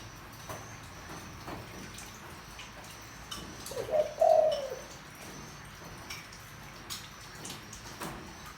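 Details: Spotted dove, deep voice, used to attract wild doves. A lone mellow coo phrase midway: a short lead-in note, then a longer, smooth coo tapering off, amid faint clicks and quiet background noise.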